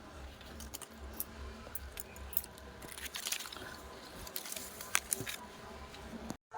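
Kitchen clatter of metal utensils and clinking, with soft speech in the background and no animal sound.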